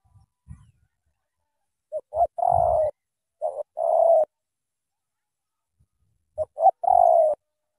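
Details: Spotted dove from Cà Mau singing in the thổ tơ style: short paired notes, then a longer falling coo, heard three times at about two-second spacing. A few faint low thumps come early on.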